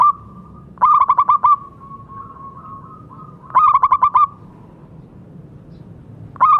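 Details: Local zebra dove, a strong singer, used as a tutor for doves that have stopped calling: short bursts of five or six rapid rolling coo notes, each ending in a held trailing tone, repeated about every three seconds.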